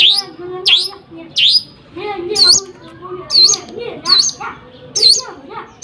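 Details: Lovebird delivering nembak gereja sambung song: loud shrill upswept whistles, each with a sharp hooked note, spaced at uneven intervals of about a second, over a faint low murmur.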